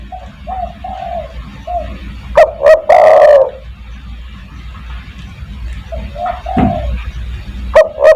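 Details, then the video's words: Spotted dove lure call in 'kuk 1' style, meant to summon other doves: one loud phrase of two short notes and a long rough coo, then quieter cooing, and a second phrase beginning at the end. "burung DERKUKU tekukur master gacor kuk 1 sangat mewah untuk memanggil teman"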